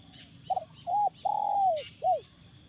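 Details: In the morning at a factory site in Indonesia, during a session luring wild spotted doves, a spotted dove coos a soft, hollow four-note phrase, the third long and sliding downward, over a faint steady low hum.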